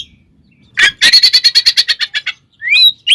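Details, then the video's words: Caged oriental magpie-robin (kacer) singing its fighting song, meant to provoke rival birds. A rapid chattering series of about fourteen harsh, evenly spaced notes is followed by a short rising whistle. "SUARA BURUNG kacer gacor NGEPLONG NGEKEK TARUNG ini paling AMPUH buat PANCINGAN KACER agar EMOSI"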